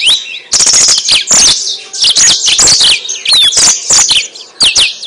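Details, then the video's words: Yellow-fronted canary singing, a recording meant as a lure to draw and trap birds; a continuous, high, bright medley of rapid chirps, rolling trills and rising and falling whistles with only brief gaps. "Suara Burung Mozambik Buat Pancingan"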